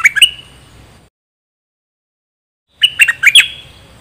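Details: Decoy bulbul, one of three: a couple of quick liquid chirps, a pause, then a lively phrase of four or five bright, slurred notes.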